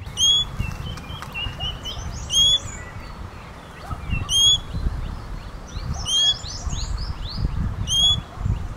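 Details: ['Common green magpie repeating loud, harmonic whistled calls about every two seconds, six in all. Busy upslurred chirps of other birds fill the gaps, over soft low background noise.']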